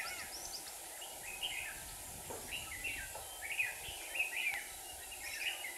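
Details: Caged decoy red-whiskered bulbul at a trap site in Hòa Bình, Vietnam, singing to draw in wild rivals; a run of quick, clear whistled phrases, several in a row, over constant hiss.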